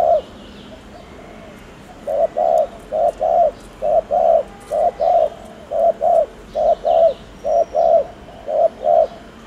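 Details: Spotted dove coo played to prompt fast cooing: after two quiet seconds, mellow low coos arrive in paired short-long notes, roughly one per second, continuing evenly to the end.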